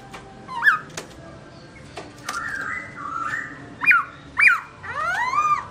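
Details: A black-throated laughingthrush sings while the owner is away: sharp upslurred chirps and level whistled notes in an irregular sequence, ending in a rich, falling, descending whistle.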